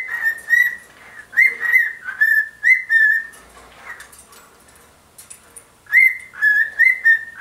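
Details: Pet bird swinging and singing excitedly to a shoe indoors: series of clear whistled notes, each a sharp rising onset then a level whistle, in bursts of three or four, separated by short pauses.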